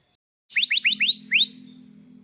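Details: Canary notes from a lure recording meant to make caged canaries sing: five quick rising whistled sweeps, then a steady low hum continuing after the song stops.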